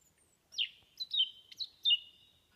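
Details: Thrush singing: four clear whistled phrases, each a sharp high note dropping into a sustained lower whistle, delivered in quick succession against a quiet background.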